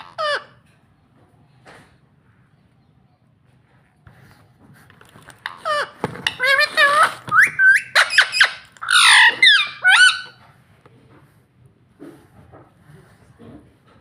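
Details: Pet rose-ringed parakeet talking indoors, said to speak the word "mummy". After a quiet start with faint background hum, a burst of rapid, squeaky, speech-like syllables with swooping tones runs for about four seconds, then fades to soft noises.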